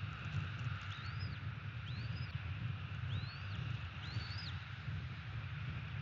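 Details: Bald eagle at a nest in Florida, 30 December 2017, late morning: four thin, high whistled notes, each arching up then down, spaced about a second apart, over a steady low rumble of wind or distant traffic.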